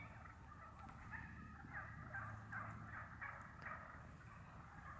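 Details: A flock of wild turkeys feeding in woodland gives scattered soft clucks and purrs, short broken notes over a low rumbling background.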